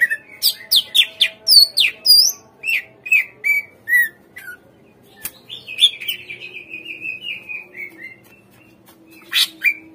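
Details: Greater green leafbird singing, played as a lure so captive birds respond and sing: a rapid run of varied sharp whistled and buzzy notes, then a long descending series of quick chirps, ending with two harsh bursts.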